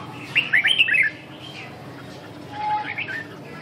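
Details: Red-whiskered bulbul in a song-training session: a quick burst of bright, warbling chirps lasting under a second, then a pause and a softer, shorter warbled phrase, over a steady low background hum.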